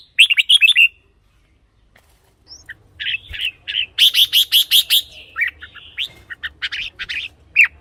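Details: Caged red-whiskered bulbul, its song played as a decoy or to rouse birds: a quick warbled phrase, then a long run of rhythmic, evenly repeated bright chirps and scattered whistles filling several seconds.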